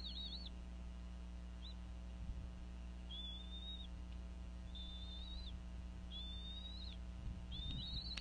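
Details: At a Northeast Florida nest in January 2014, a female bald eagle vocalizes over a fish during the eaglets' feeding; a run of flat, high whistled notes, each about half a second, roughly one per second, over a constant low hum.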